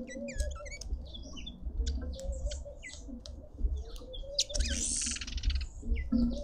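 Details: Red-winged starlings feasting at a suburban garden feeder in Pretoria, South Africa: a dense run of quick chirps and short whistles, with a burst of broad rustling noise midway and a low hum beneath.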